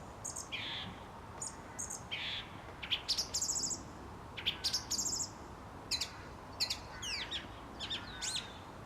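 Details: Song thrush singing at dusk outside a studio: short, varied high phrases, some sweeping and some clipped, with a bright motif repeated two or three times in quick succession over a steady low background hum.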